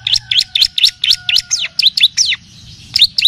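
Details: {'caption': 'Long-tailed shrike (pentet) tutoring song mixed with kapas tembak and cililin styles: a quick, steady series of high up-and-down chirps, then a brief pause and two more notes, over a faint steady low tone.'}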